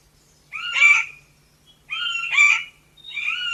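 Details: Smallish montane forest rail, the Chestnut Forest Rail, uttering three harsh raspy notes about one and a half seconds apart. Each note is a brief, scratchy squeak with a rough texture, and the last note is cut off at the end.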